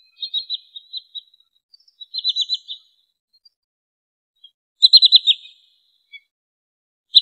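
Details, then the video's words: Lure recording of wood sandpiper for trapping birds: short, high, fast-trilled chip series, three to five notes each, given in three separated bursts with single faint chips in the silent gaps; the last burst is loudest. "SUARA BURUNG TRINIL SAWAH COCOK UNTUK MIKAT atau PIKAT"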